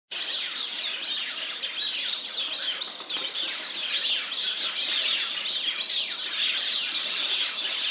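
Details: A flock of plumed whistling ducks, recorded 03/08/2023, keeps up a steady chorus of shrill, overlapping whistles that rise and fall without pause.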